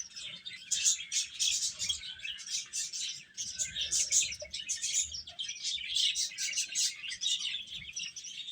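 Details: Feeding chicks produce an unbroken stream of shrill, high cheeps, many birds calling over one another with no pauses.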